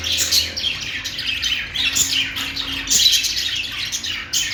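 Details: Budgerigars chirping: busy, high, grating warble with squawky notes in clustered bursts from several birds, a short pause near the end before chatter resumes.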